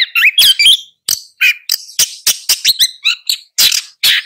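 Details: Twisting whistled phrases from a long-tailed shrike open the sequence, followed by spaced harsh, noisy bursts repeated about twice per second.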